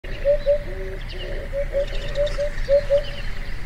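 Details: Eurasian Hoopoe, a rare vagrant at the foot of Yatsugatake, Japan: soft low hollow 'oop-oop' notes in pairs and triplets, repeated steadily through the clip, with faint lower tones and a quiet rural background.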